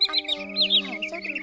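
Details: A Green Sandpiper gives quick, high, bright whistled chirps in a row over a steady low musical drone, in a recording used as a lure for trapping migratory birds in Vietnam.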